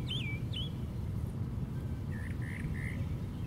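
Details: From the top of a white pine, a brown thrasher gives two sharp upslurred whistles, a pause, then three short buzzy notes in quick succession, with low rumbling noise underneath.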